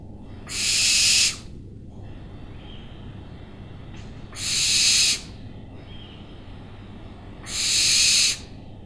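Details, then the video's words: Three rough, breathy owl screeches, each under a second, separated by pauses of about three seconds, with a faint low background murmur between them. "OWLS SOUNDS"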